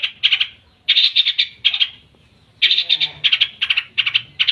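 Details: Long-tailed shrike in its lively, shot-filled song: two bursts of loud, harsh, rasping chatter, each a quick string of grating notes, separated by a short silent pause.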